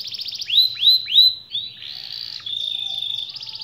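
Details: Canary singing to stir quiet canaries into song: rising swept whistles repeated three times, then a buzzy stretch and a long level whistle ending in a rapid trill.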